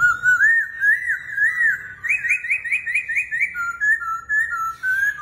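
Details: Laughingthrush described as dancing like a circus performer: loud, clear whistled song with rolling wavering notes, then a fast series of rising slurred whistles, ending in lower sliding phrases.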